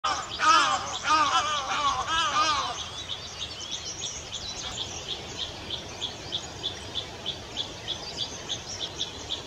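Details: Rare Olive ibis at Castle Forest on a morning with little rain, giving a loud burst of harsh, nasal, wavering calls for under three seconds, followed by a steady high ticking about twice a second.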